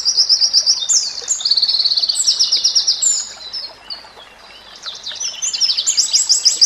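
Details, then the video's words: White-rumped shama tutor recording for training murai batu: very high, thin, rapid trills of clicking notes, about three per second, with a short quieter pause before the high buzzy trills resume. "Masteran Murai Batu"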